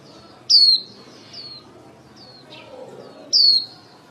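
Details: Líu song from a female white-eye used as a lure to call the flock for trapping: two loud, high, downward-sliding whistles about three seconds apart, with weaker slurred notes between them and a soft low background hum.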